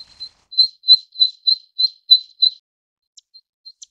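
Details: Zitting cisticola, Cisticola juncidis: about eight sharp, high "zit" notes evenly spaced over two and a half seconds, followed by near silence broken only by a few faint ticks.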